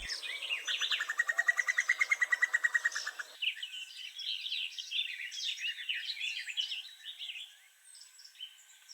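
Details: A Common Cuckoo in woodland bordering a river gives its occasional loud, laugh-like call, a fast, bubbling series of about twenty even notes in three seconds, likely courting a female; varied songbird twittering follows.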